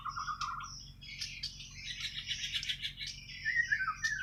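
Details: White-rumped shama from Borneo (Kalimantan), natural song: held whistled notes followed by a buzzy, scratchy high warble and closing downslurred whistles, over a low hum.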